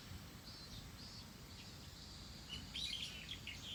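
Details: Bird calling outdoors: a few thin, high chirps and short twittering notes in the second half, over steady low rumbling background noise.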